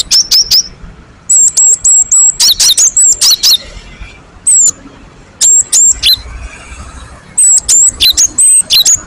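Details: Great tit (gelatik batu) lure song meant to set other birds singing. Thin, very high squeaky whistles with sharp downward strokes come in clustered bursts separated by short pauses, against faint background noise.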